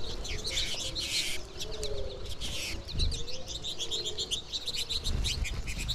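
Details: American goldfinch flock calling steadily, many overlapping high chirps and twitters between roughly 2 and 8k, dense chorus; a broadband rushing burst early on, possibly wings; a lower cooing tone near 500 underneath, likely a dove.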